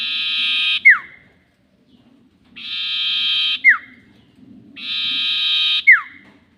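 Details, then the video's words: Lure sound of a sirtu bird used for bird trapping, 'nyiul panjang' style: three long buzzy notes, each closing with a bright whistle dropping steeply in pitch, over a faint low rumble. "SIRTU NYIUL PANJANG ..... ‼️ Cocok Untuk Pikat || Suara Pancingan Sirtu"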